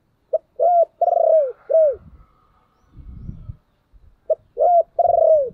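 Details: Spotted dove cooing to lure other doves, called a fast-responding calling dove: two loud phrases, each a short note, an upslurred coo, a long rolling trembling coo and a falling final coo, separated by a brief pause with faint low rustling.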